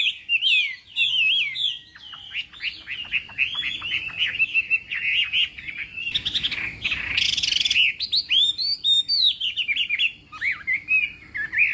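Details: Chinese hwamei singing in the morning as for a contest, a continuous stream of varied whistled and chattering notes, with a short harsh noisy burst midway before the melodic phrases resume.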